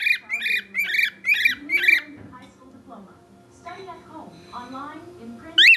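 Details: Pet bird whistling for attention indoors: five loud, rough, harmonic whistled squawks in quick succession, then quieter murmuring voices and household noise, and one more sharp call at the end.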